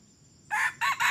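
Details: Young red junglefowl, crowing for just three weeks and used as a decoy when trapping, crows in three harsh, hoarse segments: a rough first note, a short dipping second, and a clipped third. Silence before.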